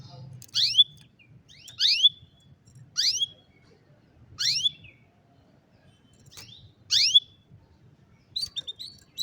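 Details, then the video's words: Canary recorded with a cellphone uttering clear rising whistled call notes that end in a brief level tone, repeated about every second, seven times, with a few softer notes near the end and a quiet background. "الكناري بالتأكيد ستحب غناء الكناري الجميل هذا Canary Singing"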